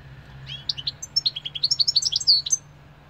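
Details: European goldfinch singing: a fast, tinkling run of high twittering notes and liquid trills, about two and a half seconds long, ending on a clear buzzy note; faint low background hum.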